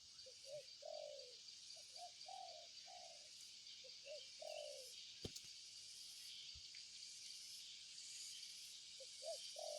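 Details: Spotted dove giving soft, low hooting coos in short grouped phrases, each ending in a longer drawn-out note, with pauses between phrases, over a steady high insect buzz and a sharp click midway.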